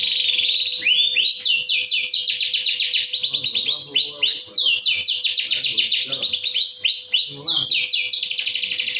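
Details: Ciamis, Indonesia canary song, continuous and loud: a buzzy opening followed by long rolling tours of fast descending sweeps, varying in speed, with a faint steady hum beneath.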